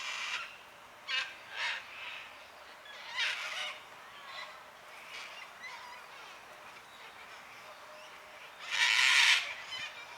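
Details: Cockatoos noisily calling on a quiet Sunday afternoon around 5pm during daylight saving time; harsh, raspy broadband screeches come in scattered bursts, a few short squawks early on, then a long, loud raucous screech near the end.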